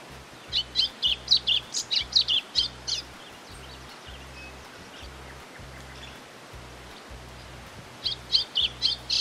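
White-throated Seedeater song: rapid bursts of high, sharp chirped notes, a run of about a dozen, a pause, then another short burst, over a low steady hum.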